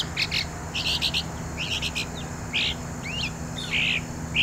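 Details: A Northern Mockingbird singing long and loud from high perches: a varied run of bright, high phrases, each different, with buzzy chatters, sweeping slurred notes and rasping bursts, over a low steady hum.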